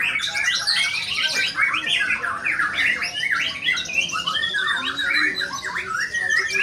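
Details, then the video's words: White-rumped shama singing in a songbird contest: a dense run of rapid whistled and chattering phrases with quick upward and downward sweeps, rich and varied, with no pause, over a steady background murmur. "MURAI BATU METEOR TAMPIL EDAN"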